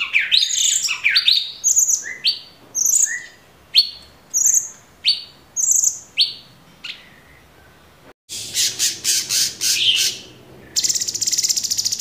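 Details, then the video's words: Caged Orange-bellied Leafbird, a training master recording: a series of clear, sharply rising whistles with very high thin notes, repeated about every half second, then dense buzzy bursts and a steady high rattle. "Tembakan Cucak Cungkok super gacor"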